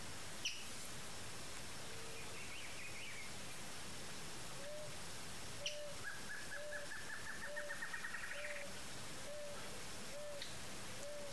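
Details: Rufescent tiger-heron (Tigrisoma lineatum), tagged as Pantanal fauna, calls with a steady series of about eight low, hollow hoots, under a second apart, while other birds add faint trills and a rising chatter.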